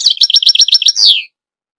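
A goldfinch gives a quick run of seven bright, tinkling chirps, about eight per second, ending in one longer note that slides downward.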